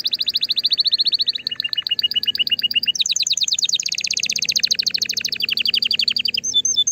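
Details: Canary singing to stimulate the female for breeding. Continuous rapid trills change tour every second or so, dropping into a lower rolling passage, then jumping to bright, high, metallic rattles before ending on clear whistled notes. A faint low hum runs underneath.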